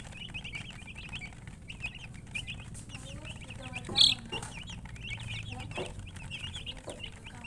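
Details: Chickens chirping: a continuous flurry of short, high, rising-and-falling peeps from several birds, with one brief louder knock midway and a low steady hum beneath.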